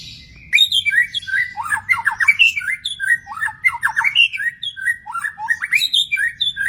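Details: Magpie-robin in the wild giving a varied, energetic song of sweet rising whistles mixed with quick scratchy chirps and rolling notes, starting after a half-second pause and continuing without a break.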